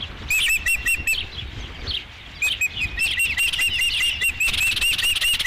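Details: Osprey at its nest at Dunrovin Ranch, 5 July 2016, as the first fish arrives: a rapid burst of high whistled chirps, a pause with soft rustling, then a longer, denser series of sharp chirping notes.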